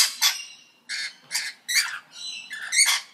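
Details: A parrot utters a rapid series of short, rasping squawks, about five in three seconds, each harsh and harmonic, some with a brief rising whistle-like edge.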